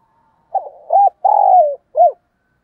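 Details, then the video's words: Spotted dove decoy calling in the morning: a soft low coo phrase of a short burry note, a rising-falling hoot, a long drawn-out descending coo, then a separate short arched final note, in silence. "Tiếng Chim Cu Mồi Gáy Gọi Buổi Sáng"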